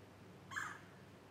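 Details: A red-bellied woodpecker at McCormick's Creek State Park on April 19, 2012, gives one harsh, rolling note lasting about a quarter second, against a quiet background.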